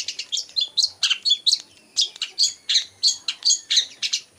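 Long-tailed shrike giving a rapid, varied run of high chirps and squeaky notes, borrowed phrases from other birds strung together several times a second.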